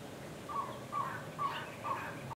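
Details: An Elegant Trogon near Madera Kubo Bed & Breakfast on June 3, 2018, gives four hoarse, croaking notes evenly spaced about every half second against faint background hiss.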